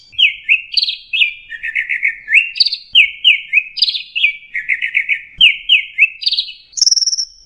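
Orange-headed thrush in lively, varied song: quick sweet phrases and trills, rising and falling in pitch, delivered almost without pause.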